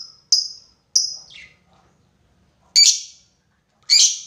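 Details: Lovebird lure call meant to summon a rival, in the long ngekek style: a series of loud, harsh, high screeches, some sliding downward, spaced by pauses of about a second, with a longer silence mid-clip.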